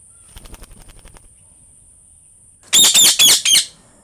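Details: Green parrot uttering four loud, harsh rasping screeches in quick succession near the end, after a quiet stretch of faint soft ticks and flutter-like sounds.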